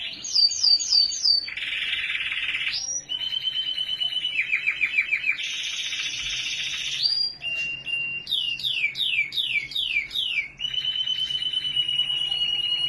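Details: Canary from Australia in full song: quick descending whistled slurs, then dense buzzy rolls and pulsed trills at shifting pitches, then more repeated downward sweeps. The phrases run without a break, the notes are very high, and the background is quiet.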